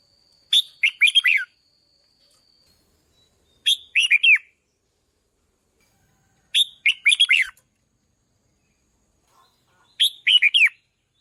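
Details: Red-whiskered bulbul trained as a decoy, singing four short, bright, chattering phrases of slurred notes spaced about three seconds apart, with a faint steady tone under the first phrase.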